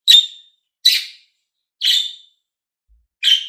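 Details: Calling pet budgies, green and blue: four loud, rasping chirps roughly a second apart, each fading quickly, with nothing else audible.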